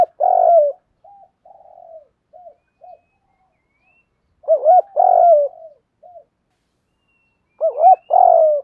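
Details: Caged lure spotted dove cooing to draw and excite wild birds: three loud phrases about four seconds apart, each a wavering double coo then a long buzzy falling coo, with soft hollow notes between phrases.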